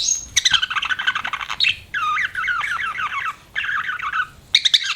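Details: Budgerigar kept as a pet, chirping in fast warbled chatter: three long runs of rapid rippling notes with short pauses between them, ending in a bright buzzy squawk.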